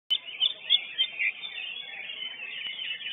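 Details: Lesser green leafbird at a bird-singing competition, the first-place winner: a continuous, fast stream of warbled and chattering notes with bright accented peaks, heard in muffled, narrow-band quality.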